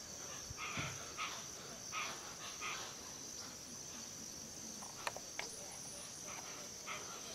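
Hoatzin giving hoarse, wheezy rasping notes, repeated about every half second, over a steady high insect drone.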